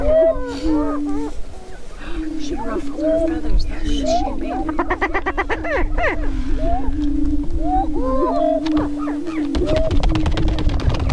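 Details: Greater Prairie-chickens displaying on a lek near Crookston, northwest Minnesota, April 27, 2013, in the spring mating ritual: steady low moaning tones with repeated looping whoops and clustered cackles, plus crackling noise in the middle.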